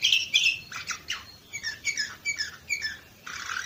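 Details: In Varna, Bulgaria, 2018, a canary pours out fast chirping notes, a string of rhythmic twittered figures about five per second, then a sustained buzzing trill.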